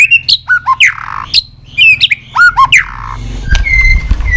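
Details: Continuous 'tạch' singing by a white-rumped shama, used to rouse other shamas: crisp upslurred whistles and falling notes in quick bursts, then a steady whistle over a rustling, thumping noise.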